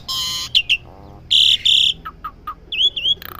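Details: Asian pied starling kept at home, practising its song: loud broad screechy bursts mixed with short clear whistles and a pair of quick upslurred whistled notes near the end.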